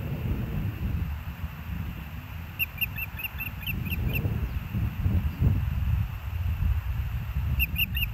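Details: Osprey on the Hellgate nest camera, 06/09/2024, 13:17: a string of roughly eight evenly spaced, shrill whistled chirps midway, then a few more at the close, with strong low wind noise throughout.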